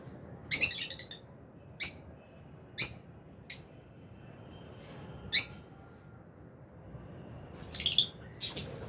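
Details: Lovebird flock, albino and Fisher's, kept in an aviary while eating; shrill, piercing chirps come roughly once a second, then a pause and a final pair of squeaky notes.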